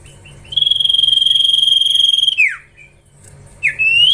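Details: Young common iora in training gives one long, steady, slightly warbling whistle held for about two seconds, which ends in a quick downward slur. After a pause, a fresh rising whistle begins.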